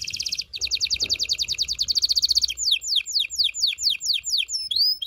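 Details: Mating-stimulation canary song, a long fast high trill followed by a series of steep downward-sweeping notes about twice a second.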